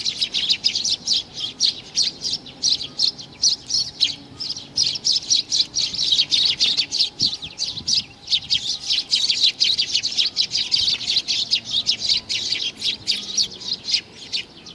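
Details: Recorded in June 2019, a sparrow youngster chirps almost without pause for many seconds, quick high sharp notes in a dense rhythmic series, a brief lull partway through.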